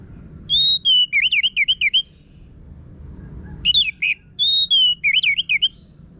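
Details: Orange-headed thrush, Geokichla citrina, a kept bird from Singaraja, North Bali, singing a coarse lure song for training other birds: clear whistled notes followed by rapid wavering warbled trills, two phrases separated by a pause.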